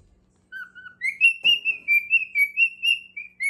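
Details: Male pet cockatiel singing for his mate: a low whistled note, then a quick series of about eight bright, clear whistles on a steady high pitch with slight rises and falls, over a faint low hum.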